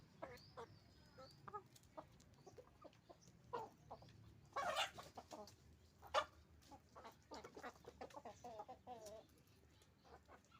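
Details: Roosters and hens on a chicken farm making a constant racket of overlapping clucks and short squawks, with a louder harsh burst midway among many birds.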